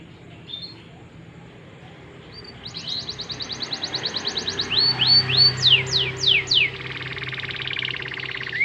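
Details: Singing domestic canary used as a lure to prompt other canaries to sing: after quiet start, a fast trill of short notes, then loud downward-sweeping whistled notes repeated about twice a second, ending in a buzzy rattle.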